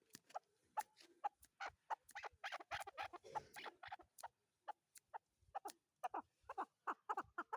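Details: Chukar partridge giving a long, dense run of clucking chuck notes, fast and uneven at first, then spaced into repeated harsh bursts. Low rumbling noise sits underneath the calls.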